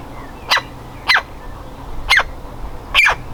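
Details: Woodpecker chick eager to leave its nest cavity gives four loud, scratchy squawks at uneven intervals of about half a second to one second, against a low, constant background hum.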